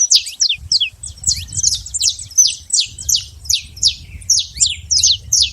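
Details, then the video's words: Wild, free-living saffron finch giving a lively chattering song of quick high downslurred chips, about one to two per second, in uneven bursts with faint low background rumble. "canário da terra livre na natureza"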